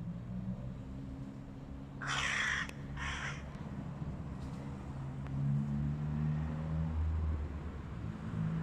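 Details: Two quick, coarse caws in close succession rise out of a constant low-pitched drone as a flock of hooded crows confronts a stray cat.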